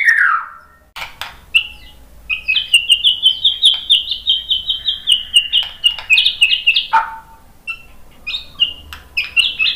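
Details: White-rumped shama song used as a lure to prompt other shamas to answer: varied phrases, with a long stretch of fast repeated high chips and scattered sharp clicks, then shorter bright bursts.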